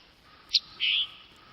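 A tanager gives a quick, sharp high note, then a longer, slightly lower burry note, like a two-part chip-burr. A faint steady hum sits underneath.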